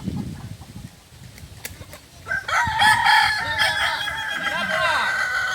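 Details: Kokok Balenggek rooster, a native chicken breed of Solok, West Sumatra, at a practice crowing contest; after two seconds of quiet background a long harmonic crow begins, breaking into many stepped, wavering syllables that carry to the end, with overlapping crowing.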